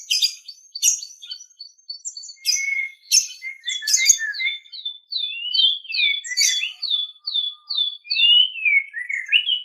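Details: White-rumped shama song used as a master recording for training captive birds: a rich, fast run of varied whistles, sweeping slurred notes and sharp chips, mostly high-pitched, delivered in short phrases with brief gaps.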